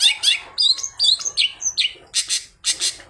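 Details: Long-tailed shrike with imitated phrases in its song, played to get other shrikes singing: a string of bright whistled upslurs and squeaky notes, then several loud harsh high bursts.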